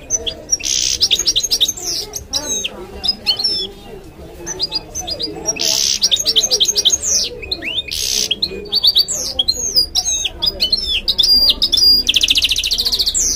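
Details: A goldfinch x canary mule, whose song is used for teaching young goldfinches, sings a fast, varied song of high twittering notes, buzzy trills and sweeping whistles.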